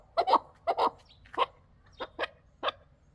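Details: Chukar partridge calling in short, harsh, clucking bursts, often in quick pairs, repeated about every half second over a quiet background.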